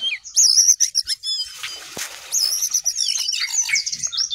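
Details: Sooty-headed bulbul pouring out a high, busy song of quick whistles and twitters, broken near the middle by a short burst of rustling noise, then more looping whistled phrases to the end.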